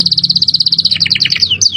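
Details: Canary singing in the luxurious 'cengkok mewah' style: a fast, even run of sharp high chips about ten per second, breaking into descending slurred notes and a final downward whistle, over a faint low hum.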